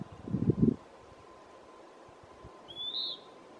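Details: A single high, burry, slightly falling whistle from a Western wood pewee (Contopus sordidulus) at Lawrence E. Wood Picnic Area, after a brief low thump; otherwise quiet.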